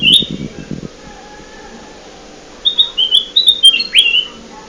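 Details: Lure sound of a bulbul (kutilang emas) for trapping birds: a brief opening whistle, a quiet stretch, then a full phrase of short high whistles stepping up to a swooping rising slur.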